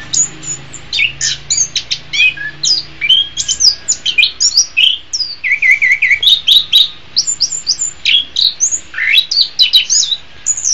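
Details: Orange-headed thrush song used as a master recording for training cage birds: a rapid, dense run of varied high whistles, chirps and trills, clearly phrased, nearly continuous for about ten seconds.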